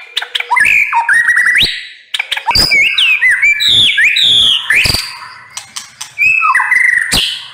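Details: White-rumped shama (murai batu) in 'nembak pedes' style: loud, varied whistled phrases sliding up and down, mixed with sharp dry clicks and snapping notes, delivered in rapid bursts with brief pauses.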